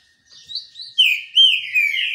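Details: Sunbathing green-winged saltator giving a brief, loud, flowing whistled phrase that rises and falls, starting softly and swelling into strong, smooth slurred notes.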